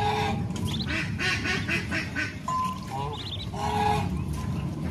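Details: Farm ducks, a mother leading her ducklings to feed in the countryside: harsh nasal quacks in short bursts alongside high thin peeping of ducklings, with low rumbling farmyard background.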